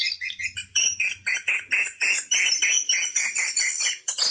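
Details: Swiftlet call played to lure the birds to nesting houses: sharp, high chirps repeated steadily about four times per second, with a soft low rumble at the start.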